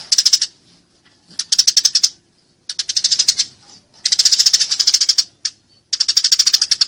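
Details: Eurasian tree sparrow in a fight, loud and clear: bursts of rapid, harsh chirps, each lasting about a second, separated by short silences, five bursts in all.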